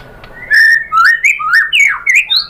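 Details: Rich, fluty whistled phrases from a white-rumped shama, played to provoke other birds to sing, rising and falling in quick slurred bursts with a brief pause between each.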